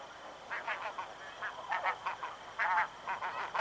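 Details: A group of snow geese flying past at Chincoteague, Virginia gives a jumble of nasal, yelping honks, several birds calling over one another in irregular bursts about once a second.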